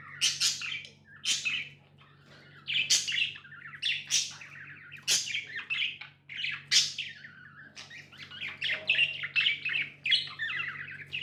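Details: Pet budgerigars give loud, sharp chirps at first, then slide into a dense, buzzy warbling chatter that carries on to the end; low hum throughout.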